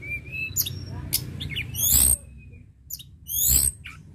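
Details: Sunda robin singing actively: a thin whistled note near the start and a flat, steady whistle after two seconds, between loud broadband rattling bursts and a low background hum.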